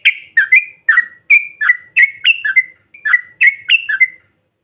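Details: Trucukan bait recording of a yellow-vented bulbul: paired bubbly notes, one sliding down and one level, repeated in small groups with short gaps, clean and loud.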